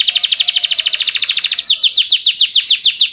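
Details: Canary song used as a training lure to get canaries singing quickly: a fast, even trill of high sharp notes, about fifteen per second, then slower loud downslurred whistled notes, with a faint low hum underneath.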